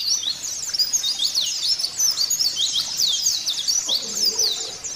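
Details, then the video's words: Song of a caged white-eye used to prompt other white-eyes to sing: a steady, busy stream of high, thin twittering notes without pause, with a faint low murmur near the end. "Pancingan Pleci Agar Buka Paruh Sobek-Sobek"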